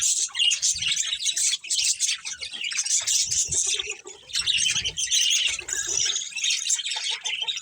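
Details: Breeding pair of budgies amid their colony, overlapping high chirps, squawky notes and warbles in steady chatter, dipping near four seconds, with faint low rustling.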